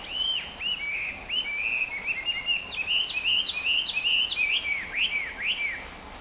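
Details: Hwamei practising its song, recorded in Chofu, Japan, on 30 June 2015, where it is an introduced species: a rapid run of loud, rich whistled notes that arc up and down, looping phrases over steady background hiss.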